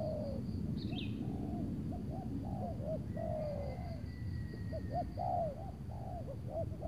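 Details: Spotted dove calling in Tangerang on a cloudy afternoon, decoy luring a loud wild target. Run of short hooked coos and longer slurred notes, a brief high chirp early and a faint whistle-like tone mid-clip, with insects buzzing.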